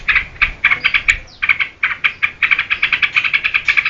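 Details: Lively yellow-vented bulbul song for drawing out and training other birds. Spaced, emphatic chip notes, a quick falling sweep near the middle, then an even run of sharp repeated chirps.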